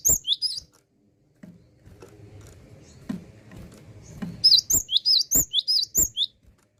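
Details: Cinereous tit in full song: a short burst of high whistles, a quiet stretch with low murmur and taps, then a long, steady series of bright rising-falling two-note phrases, about ten in quick succession.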